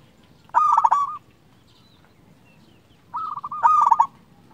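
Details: Local Indonesian zebra dove singing, a lure bird meant to stir quiet or stressed doves into calling: two loud, rolling, pulsed coo phrases about two and a half seconds apart over a faint background hum.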